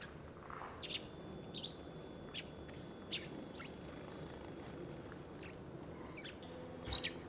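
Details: A Eurasian tree sparrow in Sweden gives short, bright calling or warning chirps about every second, over a steady low rumble with a brief clatter near the end.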